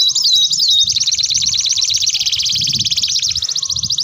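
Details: Canary song used as a master recording for training young canaries: a continuous rapid trill of repeated high notes, opening with a few sweeping whistles, with faint low background noise.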